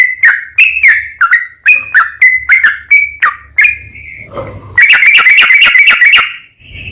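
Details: Sooty-headed bulbul's long rapid song, meant to make other bulbuls respond: separate whistled notes with crisp attacks, a brief lull, then a dense fast burst of chattering notes.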